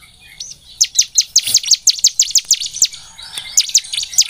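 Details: Bar-winged prinia song for stimulating singing: after a quiet start, a fast run of bright, high, even chirps for about two seconds, a short lull, then the chirping resumes.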